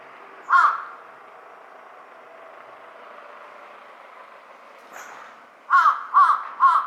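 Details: One single hoarse caw from a large-billed crow, a long quiet stretch with faint background hiss, then three rapid rasping caws close together at the end.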